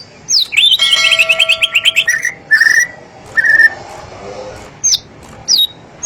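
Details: White-rumped shama with a long tail delivering a rapid rattling trill followed by clear drawn-out whistles and scattered high thin notes, loud and ringing.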